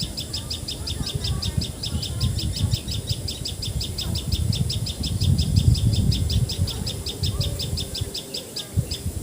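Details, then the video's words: Common tailorbird, called patxhia sorai or tiposi sorai in Assamese, recorded in Assam, India: a long, unbroken string of loud, high, clipped notes repeated several times a second, with low rumbling noise underneath. "Call Of Common Tailor Bird!"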